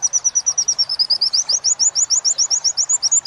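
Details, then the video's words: High-pitched training song of a caged Oriental white-eye in the wit-wit sambung kunti style, a continuous series of crisp, very regular rising whistled notes, steady throughout with a slight upward drift. "Masteran pleci wit~wit sambung kunti"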